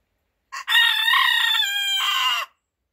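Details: Rooster crowing in the morning as a wake-up call: a short note, then one loud, harmonic crow of about two seconds, held steady and then stepping lower before it ends abruptly. No other sounds.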